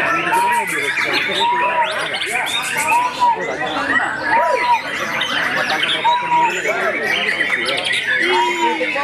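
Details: White-rumped shama at a songbird contest, named the winner, singing clear, arched whistles about every one and a half seconds over dense chattering and tweeting from other birds, with crowd noise and clapping.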